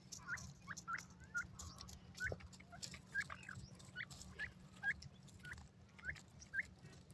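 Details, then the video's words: Female Indian francolin giving a steady run of short, sharp hooked chirps, roughly two per second with slight gaps, clear above a faint low hum and soft background noise. "ghoray teetar kio awaaz,indian teetar madi ke awaz"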